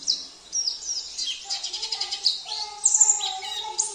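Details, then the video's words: Sambas oriental white-eye whose song includes canary, cililin, kapas tembak and jenggot phrases: high sweeping whistles, then a quick rattling run of notes, with clear steady lower tones and a bright whistled note near the end. "Terapi Pleci - Isian Mewah ( KENARI , CILILIN , KAPAS TEMBAK , JENGGOT )"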